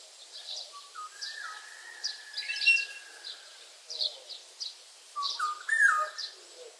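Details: Oriole, one of eight varied sounds: a long level whistle held about a second, a brief harsh burst, then a loud slurred fluty phrase near the end, amid scattered high chirping from other birds.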